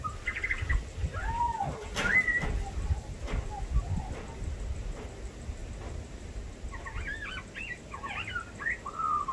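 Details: A female Australian magpie sings and mimics dogs and birds, including kookaburras, black-cockatoos, small birds, honeyeaters and the owner's whistling: varied warbling, looping whistles, then a rapid jumble of mimicked notes. A low rumble and a sharp knock come from a companion playing with a toy.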